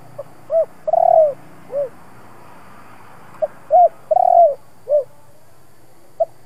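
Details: Spotted dove in the 'giọng thổ' singing style, used to stir decoy doves into cooing. Two phrases, each a faint tick, a short coo, a long rolling coo and a falling closing note. The phrases come about three seconds apart.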